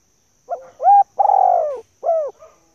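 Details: Female spotted dove, a call used to rouse decoy birds: one clear, close phrase with a soft lead-in note, a rising coo, a long mellow descending coo, a short arched coo and a faint trailing note.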